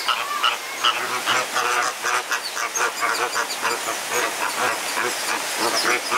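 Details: Flamingos fighting at the Jardin Botanique de Deshaies, Guadeloupe, kept in a tight space; a flock gives dense, nasal, goose-like honks in rapid overlapping bursts, several per second, continuing without pause for the whole stretch.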